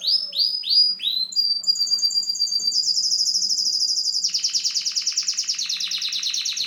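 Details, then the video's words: Syrian canary in song, opening with a few rising upswept chirps, then moving into a sustained high trill that becomes a fast, pulsing rattle-like roll; faint low hum in the background. "syrian canary sings"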